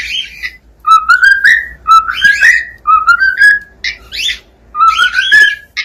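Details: Cockatiel singing in a small room, a repeated whistled tune of upward-sliding notes, each phrase about a second long and given four times, with brief chattering notes between phrases.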